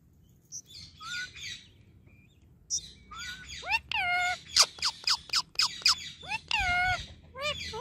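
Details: Pet Indian ringneck parakeet, friendly and non-stop talking: a quiet start with a few soft notes, then a run of sharp clicks mixed with curved, harmonic, speech-like vocal phrases, ending in a drawn-out bent syllable.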